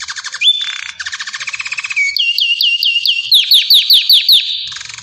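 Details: Belgian canary singing a varied song of rapid buzzy trills, a sustained whistle, then a series of repeated downward-sweeping whistled notes with sharp high clicks, ending in a fast trill.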